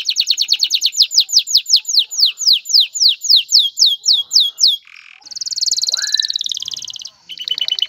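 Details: A male canary sings to stimulate a female to mate and build a nest, with a long steady series of rising slurred whistles about three per second, then buzzy trills.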